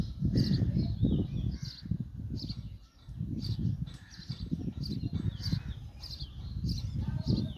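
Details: Sparrow chick begging as adults bring food, giving rapid high squeaky chirps in quick series against loud low-pitched background rumble.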